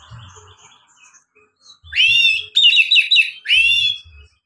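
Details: Oriental magpie-robin in relaxed ngeplong song, used to prompt reluctant magpie-robins to sing: soft scattered notes first, then three loud rich whistled phrases with sweeping and warbling notes, each under a second long.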